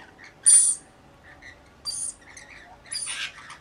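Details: Rainbow lorikeets from a flock of about 40 watching over one baby give one loud screech followed by two softer rasping calls, with faint chirps in between.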